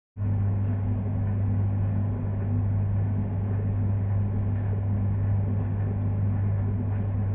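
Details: A steady, loud engine or vehicle rumble with a strong low hum runs throughout, and no animal sounds can be picked out.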